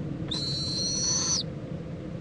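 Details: Owl in Indiantown, Florida, on February 26, 2014 at 11:45 AM, as a mother checks on her owlet and joins it for preening: one high, thin, slightly rising screech lasting about a second over a low steady hum.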